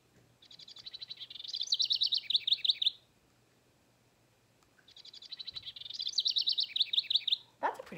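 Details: House Wren song, two bubbly, high, cascading songs of about two seconds of rapid chattering trills with a brief voice at the end; males sing to attract a mate and defend territory; found in backyards, parks and shrubberies, loud in spring.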